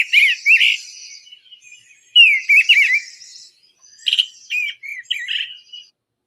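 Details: Eastern Bluebird in spring, from a pair that nested in a backyard box and sings mostly in the morning, giving a different song: three short, soft, burry warbled bursts about two seconds apart, each a quick rising-falling run.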